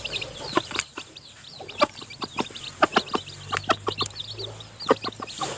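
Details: Newly hatched chicks still in the nest while the hen feeds them: thin, high peeps repeated rapidly, mixed with sharp broadband clicks like pecking, spread through the whole stretch.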